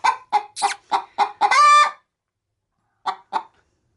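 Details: Pet hen nesting in a chicken-feed sack before laying, cackling as a person nears: six rapid clucks ending in one long harsh squawk, then a pause and two softer clucks.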